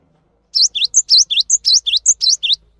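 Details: Cinereous tit singing steadily, recorded as tutor song for training other birds: brisk high phrases of a rising swept note followed by a short thin whistle, repeated about ten times in two seconds with no other sounds.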